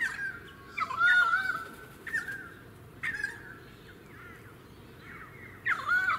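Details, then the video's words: A pied currawong in a suburban area of the Sunshine Coast, Queensland, in February, gives loud, ringing mid-pitched notes that bend and warble, in several separate bursts over a few seconds, against a steady low background hiss. "Pied Currawong"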